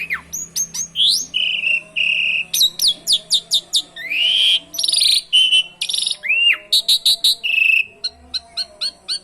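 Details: Asian pied starling singing with canary-style phrases, played as a lure for other birds: dense, energetic medley of rising whistles, buzzy notes and clipped chirps, barely pausing across the whole stretch.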